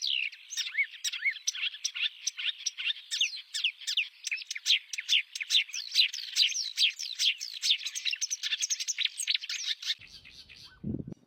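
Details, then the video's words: Rapid, dense chattering song of a wild oriental reed warbler: scratchy, rasping notes tumbling quickly one after another for about ten seconds, then stopping, followed by a brief low thump. "Kicauan Kerak Basi Besar di Alam Liar"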